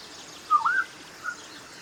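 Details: Black-winged Oriole (Oriolus nigripennis), an African species, giving a brief, mellow fluted phrase that rises and dips, then a single soft whistled note, over a faint background hiss.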